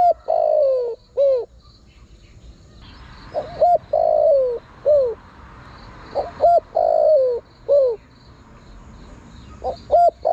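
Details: Spotted dove calling to attract wild birds. Three coo phrases come roughly every three seconds, each with a long sliding downward coo and short arched notes, backed by a continuous high buzz and a brief hiss midway.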